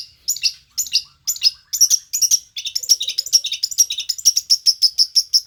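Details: Long-tailed shrike from Banyuwangi singing: high, sharp chirps in short bursts, then a faster run of clipped, repeated notes, ending in a steady series of bright chip notes.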